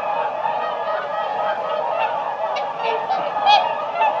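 A flock of whooper swans gives a dense chorus of loud, bugling honks, many voices overlapping without pause, with sharper calls rising above the mass.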